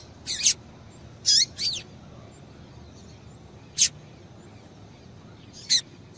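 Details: Female double-collared seedeater calling to stimulate a male into singing: short, high, sharp chip notes, some paired, spaced irregularly over several seconds against a quiet low hiss.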